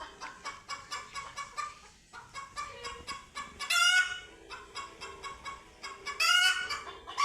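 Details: Frightened chickens meeting cats for the first time: a steady series of rhythmic clucks, roughly four per second, broken by two loud, piercing screams around the fourth and sixth seconds.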